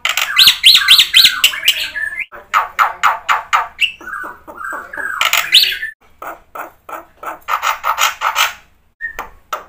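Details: Black-winged myna in lively full song with fill-ins, offered to spur silent birds to sing: loud harsh rattling notes repeated about four per second, mixed with short whistles and bright screechy bursts.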